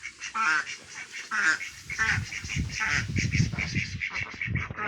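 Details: A group of ducks, Mandarin ducks, mallards and Pekin ducks among them, gives loud, harsh, drawn-out quacks with a honking edge, overlapping in rough series, over a steady low rumble and thumping.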